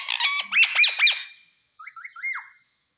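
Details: Green pet parrot making squawky, harmonic calls in two bursts, several quick down-sweeping notes and then a shorter series after a pause.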